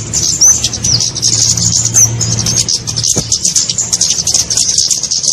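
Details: Kemade birds in a lure recording for catching small birds: high, hissy twittering with a few clear looping whistles early on, and a low droning hum beneath.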